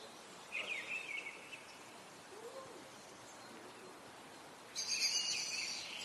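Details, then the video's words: Eurasian nuthatch at its nest in Parque das Pedras Salgadas, Vila Real, on 2 April: a short run of quick whistled notes, then a burst of harsher rustling near the end against steady background hiss. "Eurasian Nuthatch in the nest (Sitta europaea) - Trepadeira azul"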